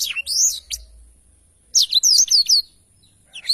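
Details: Black-throated canary singing lively as a tutor recording for training songbirds: high, sweeping whistled and chirped phrases, a burst at the start, a pause, then a fast run of rapid descending slurred notes.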